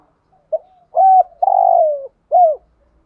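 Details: Decoy spotted dove giving its thúc gù cooing: a short soft note, then a flat mellow coo, a longer quavering coo that slides lower, and a final arched coo, all low and hollow with silence around.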